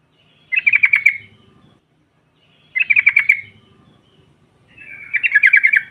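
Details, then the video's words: Female sooty-headed bulbul used to provoke rivals, giving three short bubbling, warbled phrases about two seconds apart, each a quick run of notes, with faint low murmuring in the background. "SEKALI PUTAR SEMUA TRUCUKAN NYAUT NGROPEL Seketika"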